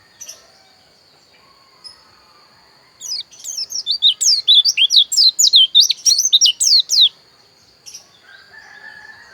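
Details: Javan white-eye, locally called pleci dakun, from Pupuan, Bali, singing a rapid run of high, sharply slurred whistled notes for about four seconds, roughly three to four notes per second, with a steady high tone in the background.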